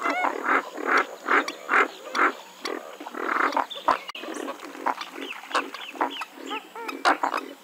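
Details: Western swamphen calling: a loud, harsh, nasal series of honking notes, about two to three per second, with uneven spacing and faint softer notes between the main bursts.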